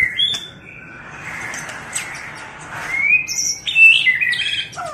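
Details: White-rumped shama female tạch líu voice, used to make males eager to fight. Scattered short whistles sound over a steady hissing background, with brighter high notes near the end.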